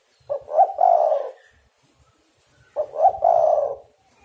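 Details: Spotted dove in full voice, its call used as a lure to trap other doves. Two matching phrases about two and a half seconds apart, each a quick stuttered coo leading into a longer mellow, hoarse coo.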